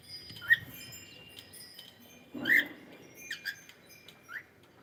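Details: Pet cockatiel singing: irregular short bright chirps and one louder harsher note midway, with faint clicks and a steady thin tone in the background.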